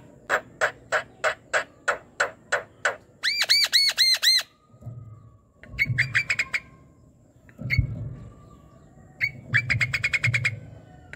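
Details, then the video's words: Asian pied starling song at night, used to prompt an idle, silent starling to sing: a row of harsh, evenly repeated notes, then clear arched ringing notes in a quick series, followed by scattered chattering bursts over low background hum. "COBA PANCING dengan ini jalak kebo yang BENGONG MALAS BUNYI"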